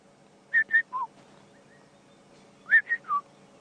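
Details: A Tropical Boubou calls from a drainage line in African bush at sunrise after overnight rain, giving two bursts of rich, fluty whistles about two seconds apart, two higher notes then a lower falling one, over engine hum.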